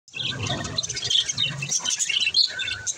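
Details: Budgerigars calling to one another: a dense, continuous chatter of high warbling chirps and twittering notes overlapping throughout, with a soft low rumble underneath.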